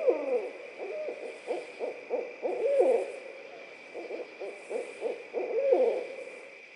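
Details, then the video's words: Laughing barred owls trading bursts of cackling hoots, with short rapid notes and a few drawn-out wavering whoops, louder peaks every second or two over a low steady hum. "Barred owls laughing"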